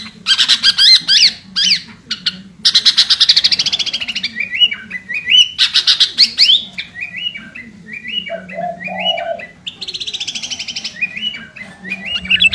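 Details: Kutilang garuda, a sooty-headed bulbul, singing energetically at a rival: dense chattering bursts mix with lower bubbly whistled phrases that wander up and down, with brief pauses between outbursts.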